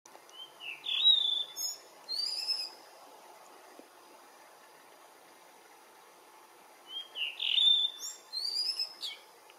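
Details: Blue rock thrush singing in the morning sun: two clear phrases of sweet whistled notes, rising slides and warbled trills, the first near one to three seconds and the second around seven to nine seconds, over a quiet background.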